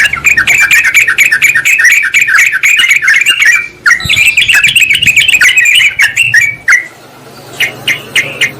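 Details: Sooty-headed bulbul lure call for attracting wild birds and calling a rival. A long, unbroken stream of rapid, noisy chattering notes runs for several seconds, then thins into a few scattered calls.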